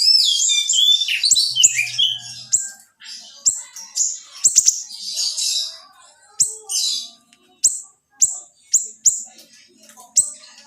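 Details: Small siri-siri in a training recording for other songbirds, billed as very vocal with tight, sharp bursts: rapid high chirps and buzzy trills, dense at first, then separated sharp notes about every half second.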